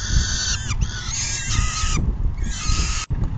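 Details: At a peregrine falcon nest, 10 June 2022, 4:08 PM, during a full feeding: two drawn-out, raspy wailing calls with a slight downward bend at the ends, backed by constant low wind rumble.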